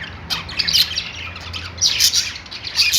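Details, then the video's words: Budgerigars at a pet store give quick squeaky chirps and scratchy warbles in two bright bursts separated by a softer pause, over a steady low hum. "budgies singing | budgie sounds | love birds sounds | parakeet chirping sounds in pet store"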